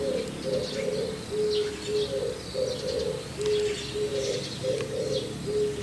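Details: White-cheeked starling on a roof calling softly, as if to a neighbouring starling; low, short, level notes repeated about every half second in pairs, with faint higher chirps from other birds in the background.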